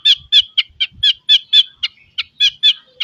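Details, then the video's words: White-rumped shama kept for song training, producing a steady series of harsh chattering notes about four per second, each short and rasping, with faint low thumps in the background. "Kicau Murai batu full isian, cocok buat pancingan masteran Murai bahan agar cepat bunyi & gacor."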